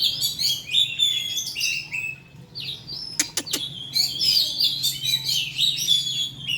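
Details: Lure song of an oriental magpie-robin meant to get other birds singing: dense, rapid, whistled and scratchy phrases, then a brief lull broken by three sharp clicks, then another energetic burst of varied notes over a faint low hum.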